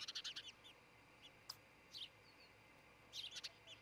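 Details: At a Montana nest near a great horned owl family, an osprey gives a burst of rapid piercing chirps, a lone note, then another quick cluster, captured by a nest camera at dawn, June 2018.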